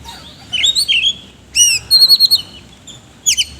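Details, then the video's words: Oriental magpie-robin singing the ngobra style with rough fill-in phrases: a rising scratchy whistle, then a bright repeated downslurred whistle series at mid-clip, ending with a sharp high burst. "BURUNG KACER GACOR NGOBRA ISIAN KASAR"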